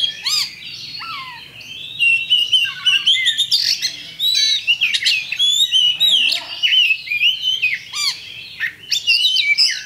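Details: Oriental magpie-robin, a champion bird, singing as a lure to provoke fighting: a dense, rich stream of high chattering and whistled phrases, with quick slurred notes, short lower whistles and almost no pauses.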